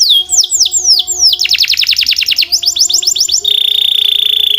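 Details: Canary singing: descending whistled sweeps repeated about five times, then a fast run of rising chirps, more sweeps and a steady high buzzing trill, with faint low steady tones beneath.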